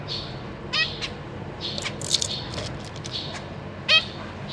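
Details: Caged zebra finches, two parents feeding three juveniles and three newly fledged babies, April 2023. Thin falling peeps mixed with a few loud nasal, harmonic calls and a brief high chatter mid-clip.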